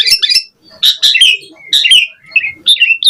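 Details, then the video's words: Asian pied starling in energetic gacor mompa song with lavish variation, used as a bait and training recording: harsh chattering bursts and squeaky notes in three quick clusters, with short pauses between. "Pancingan Jalak Suren Gacor Mompa Variasi Mewah / Masteran Suara Burung Jalak Agar Gacor Full Isian"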